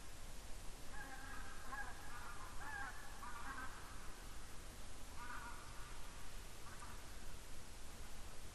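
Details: Barnacle geese (Branta leucopsis) flying over in Estonia on 7 October 2019 give short, yapping barks in bursts over a deep rumble of wind.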